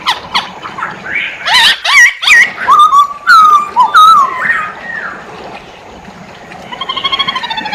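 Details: Masked laughingthrush singing energetically, mixing harsh, noisy bursts with clear slurred whistles that bend up and down, followed by a softer stretch and a fast trill of repeated notes at the end.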